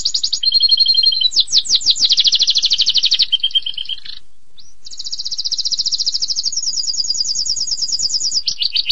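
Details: Extended canary song for training: alternating high and low steady trills, a run of rapid descending sweeps, a brief pause, then a long high rolling trill ending in a lower buzzy phrase.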